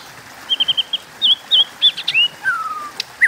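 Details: White-rumped shama singing in a contest: four quick bright notes, several looping whistled phrases, then a long smooth descending whistle, with a few sharp clicks.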